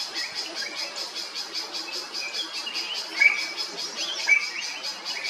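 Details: Drongo in Kerala, India, with a steady pulsing chatter broken by two loud, sharp whistles about a second apart.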